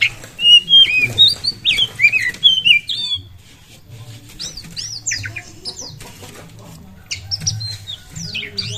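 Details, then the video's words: Oriental magpie-robin (kacer) in lively song, played to stir other birds to sing: a loud run of bright whistled, downslurred notes, then quieter scratchy phrases and chirps, with a low background hum. "pancingan burung kacer gacor pasti langsung buyi jos"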